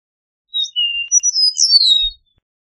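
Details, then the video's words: A single Eastern meadowlark song phrase of pure slurred whistles: short note, long steady tone, then a jumble of rising and falling slides ending in a drawn-out downward whistle; quiet background. "Eastern Meadowlark Song! Eastern Meadowlark Call! Sounds!"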